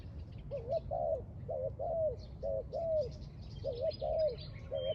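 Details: Spotted dove recorded outdoors at a trap: a steady series of low, hoarse coos in short grouped notes over a constant hiss of background noise, with faint chirping from other birds higher up.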